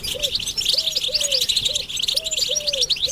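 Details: Collective European goldfinch twittering meant to rouse males into song: rapid, bright, overlapping chirps throughout, with soft low cooing phrases from a dove-like bird repeated underneath.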